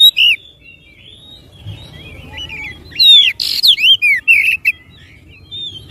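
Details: Oriental magpie-robin song used to prompt other magpie-robins to start singing: varied whistled phrases, rising and falling slurs and sharp chirps, with short loud bursts grouped near the middle and end.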